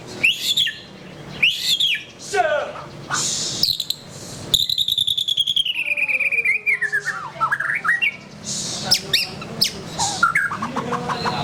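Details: White-rumped shama mixing sharp chirps and swoops, a long fast trill gliding slowly downward, then a tumble of quick varied notes.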